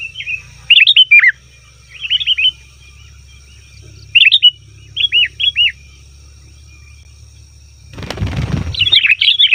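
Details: Sooty-headed bulbul lure call meant to draw wild bulbuls: short clusters of two to four looping, downslurred chirps spaced about a second apart, then a brief burst of rough noise before more chirping.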